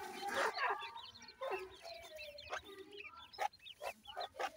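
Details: Several black francolin (Francolinus francolinus) chicks give short, overlapping cheeps and chirps, several each second, with low clucking underneath and faint background noise.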